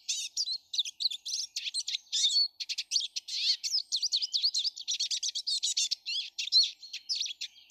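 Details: Garden flock of Eurasian siskins on 19 March 2013 producing continuous, high-pitched chattering twitters, short trills and quick slurred chirps in a busy stream.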